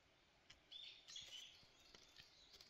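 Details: Faint, thin high squeaks from newly hatched Grey-backed Thrush chicks come in a few short bursts over a soft background hiss.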